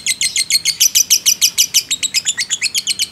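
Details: Fighter lovebird in a long ngekek, a training and lure recording meant to rouse other lovebirds: rapid, sharp, buzzy chirps repeated about three times a second, steady and unbroken, with a faint low hum behind.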